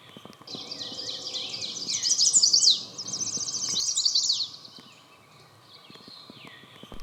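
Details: Mourning Warbler on breeding territory at Sax-Zim Bog, hazy morning after fog, 24 May 2020: song a rich, fast run of repeated 'chirry' notes in two rolling phrases lasting about three seconds, with faint thin calls from other birds after.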